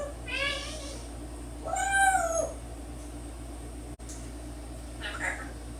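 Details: Pet 10-year-old African grey parrot, indoors, talking, whistling and making noises while its owner sits on the floor. A short harmonic squawk is followed by an arching whistled, rising-then-falling note, a click and a faint later murmur, over steady room hum.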